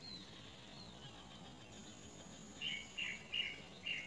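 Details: Great myna chick being fed big crickets by a parent; after a quiet start, four short harsh chirps come in quick succession over the final second and a half, above faint background hiss.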